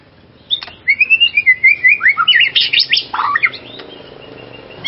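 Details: White-rumped shama song used to stir another kept shama into excitement: a wavering whistled phrase, then a burst of harsh, buzzy, tumbling notes and sharp chips, fading into faint background noise.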